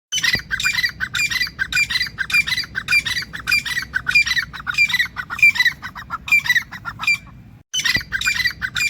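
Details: Grey francolin calling in a fast run of harsh, squawky notes, each burst repeated roughly twice a second for about seven seconds, then a short pause before the calling resumes. A low background rumble runs underneath.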